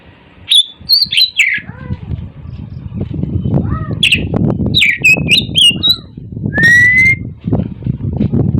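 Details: Oriental magpie-robin singing in the morning: varied clear whistles, slurred notes and one long level whistle, over a steady low rumbling background noise.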